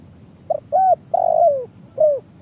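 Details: Lure call of a spotted dove (tekukur), used in Indonesia for trapping: one phrase of a soft short note, a rounded coo, a long descending drawn-out coo and a closing coo, clean and low-pitched.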